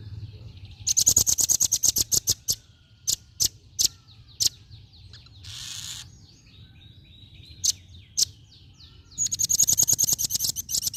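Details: Female velvet-fronted nuthatch calling in rapid bursts of sharp, high-pitched chips. A quick volley opens, then scattered single notes and a short hiss follow before another fast run. Soft, descending whistles sound faintly behind.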